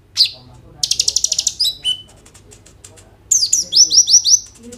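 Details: Energetic kolibri ninja sunbird song with 'roll tembak' fill, used as a lure recording so konin birds sing, phone-recorded: a sharp high note, a rapid buzzy rattle, a falling whistle, then a run of bright rising slurred notes.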